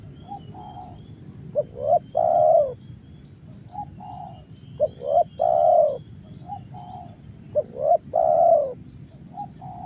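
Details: Spotted dove, Karawang, Indonesia, cooing repeatedly: three phrases roughly every three seconds. Each is a short note and a rising coo ending in a long, level coo, with softer short notes between phrases.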